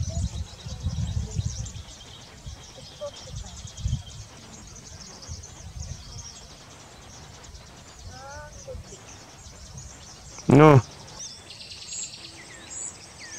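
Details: A very bold Silvery-cheeked hornbill (Bycanistes brevis) at Castle Forest Lodge gives one loud, nasal, braying squawk lasting under half a second, with faint chirps from another bird and a low background rumble.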